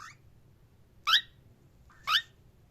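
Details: Cockatiel giving three loud, harsh, scratchy chirps spaced about one second apart, each a short burst sliding upward, over a quiet indoor background.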